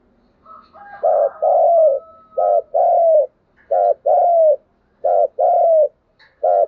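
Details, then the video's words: Spotted dove luring call (thúc gù), a faint whistled tone at first, then paired low coos, short then long and falling, repeated four times about every 1.3 seconds. "tiếng chim cu gáy thúc gù, tiếng chim cu gáy thúc bổi về cội"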